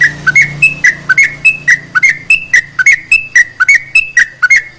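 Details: Sooty-headed bulbul singing to rouse quiet bulbuls into song: a brisk series of short whistled notes that alternate between a higher and a lower pitch, some dipping slightly, with a faint low hum underneath.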